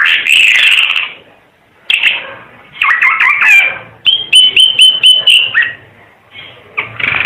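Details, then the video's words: Mixed phrases from a Timor red-eyed bird: scratchy bursts, a twisting warble, then a level ringing whistle held with rhythmic pulses, separated by short silences. "Kicau Burung Ara UNIK Mata Merah Suara Gacor"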